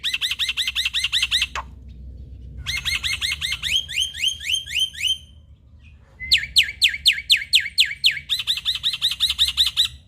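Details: Male black-winged starling singing full varied song to prompt idle starlings into singing; rapid runs of ringing repeated notes, about four a second, in three bursts separated by short pauses.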